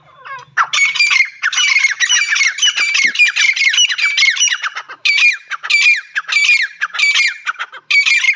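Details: Teetar, a partridge, calling without pause: dense, rasping, screechy notes tumbling rapidly at first, then spacing into separate harsh squawks about every half second.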